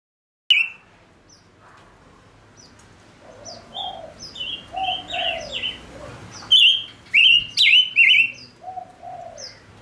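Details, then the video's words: A caged male Gouldian finch sings as a decoy to draw in wild birds, starting quietly with scattered high notes and building to a run of loud, warbled, downslurred whistles. Lower soft notes run between them. "Chim ngũ sắc mồi hót cực hay kích bổi nhanh nổi | chim ngũ sắc hót | ngũ sắc trống"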